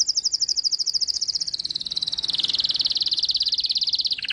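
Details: High, rapid trill from a white-eye in tembakan-style song with isian. It runs unbroken for several seconds, stepping gradually lower in pitch, and ends with a brief lower buzzy note.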